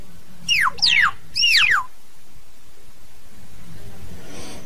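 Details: Two loud whistled calls from a common hill myna gathering its flock, each rising briefly then dropping steeply with a wavering, slightly buzzy edge, followed by near silence with low hum.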